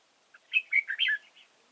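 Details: Red-whiskered bulbul decoy at a bird trap at Chùa Hương, Vietnam, 31 March 2018: a brief, cheerful phrase of slurred, rolling whistles, loud and clear, with a soft extra note after it.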